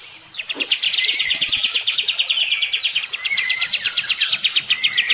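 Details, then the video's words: Kept olive-winged bulbul, bathing yet still battling a nearby bird, delivers a continuous fast metallic chatter with interleaved short whistled phrases. "SUARA JAHAT KAPAS TEMBAK"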